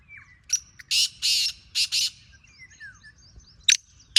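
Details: Wild black francolin uttering loud, harsh, grating calls: a short lead note followed by four broad rasping bursts in rapid succession, then a lone sharp note later, over soft chirps from other small birds.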